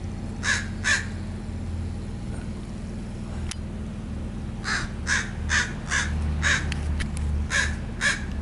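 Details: Backyard crows nesting in a yard, cawing territorially in June 2017: harsh caws, two early, then a run of about seven after a pause, over steady low traffic-like hum.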